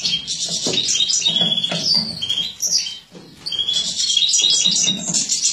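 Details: Female European goldfinch in captivity, from mutated breeding stock, 2017, feeding: fast high chirping twitter with buzzy trills and quick whistles, a short pause midway, then dense chatter again.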